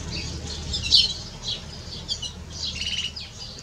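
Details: Canary x goldfinch hybrid singing: a fast, scratchy twitter of high chirps and buzzy trills with a bright burst near the start and a richer warbled phrase toward the end, over a low background hum.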